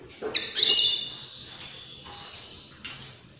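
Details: European greenfinch song, played to stimulate other birds to sing and mate: a short sharp note, then a long buzzy, nasal wheeze held for over two seconds, ending in a brief clipped note.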